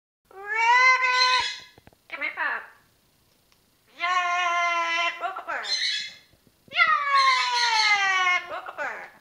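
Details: Ten-year-old female Amazon parrot talking and singing indoors: long harmonic vocalizations with steady tones, a short raspy burst after each, in three separated phrases.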